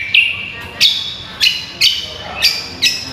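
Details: Cucak kombo used as a tutor bird for contest training, giving spaced, bright whistled notes about twice a second. Each note starts with a sharp attack and then holds a steady ringing pitch, with quiet gaps between phrases.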